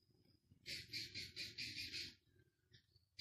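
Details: Six-day-old Philippine scops owl chick at a zoo gives a quick run of about six harsh, wheezy hisses, roughly four a second, with a faint low rumble underneath.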